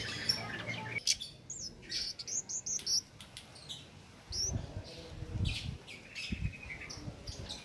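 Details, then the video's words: Cit keres singing nonstop without doping, used as a master recording for training songbirds: thin, high whistled chirps and short upslurred notes in quick bursts, with a low rumble of background noise. "Cit Keres Nembak Buat Masteran"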